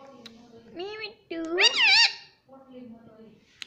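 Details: Pet ring-necked parakeet indoors uttering a short speech-like phrase: a low nasal tone, then a loud rich harmonic squawk that rises and wavers, followed by quieter droning syllables.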